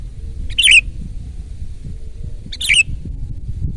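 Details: Two brief bubbly, warbled bursts from a loud 'gacor' Sooty-headed bulbul, about two seconds apart, over a quiet low hum. The recording is meant for luring and tutoring birds.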